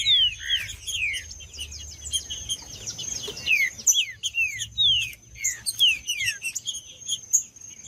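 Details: Green-winged saltator, kept in a cage, singing in male fighting mode: quick runs of sharp downslurred whistled notes, bright and insistent, over a faint continuous high whine and low background hum.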